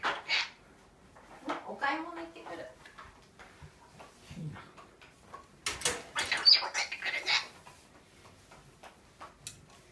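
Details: A pet parrot indoors, sensing its owners getting ready to go out on a rainy day, chatters short speech-like phrases and squawky bursts, repeating "bye-bye", "going shopping", "going to work"; indoor clatter and a person's voice too.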